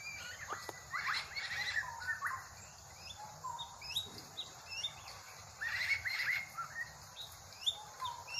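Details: Drongo, said to sound like a crow, giving bursts of short chattering and whistled notes in two clusters separated by a quieter gap. Other bird calls and a constant insect hiss sit in the background.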